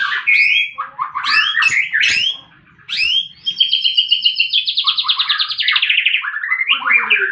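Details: White-rumped shama fighting, used to lure silent birds into singing: sharp upward whistles, a short pause, then a long buzzy rattling trill of fast repeated pulses, closing with quick varied notes.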